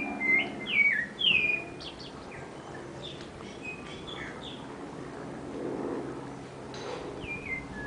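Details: Backyard sabiá thrush in a big city gives three loud falling whistles close together. Softer, scattered whistled notes follow over a background murmur.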